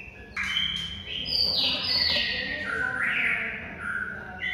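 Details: White-rumped shama (murai batu) masteran training song, meant to prompt silent shamas into singing: loud clear whistled phrases stepping between high and middle pitches, with long sliding notes over a faint low hum.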